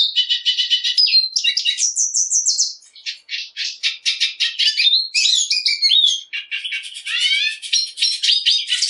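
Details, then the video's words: Black siskin (Bolivian siskin) delivering a long, continuous, energetic song of high twittering, buzzy rattles, wheezy slurred notes and rapid trills, running almost nonstop for nine seconds, loud and close. "Negrillo Boliviano! Llamado! Sonido! Cantando! - Black Siskin Song"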